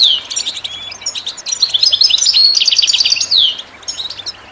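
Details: Goldfinch song, for listening and training birds, a continuous stream of quick tinkling chirps and buzzy trills building to a loud rapid phrase before fading into scattered notes.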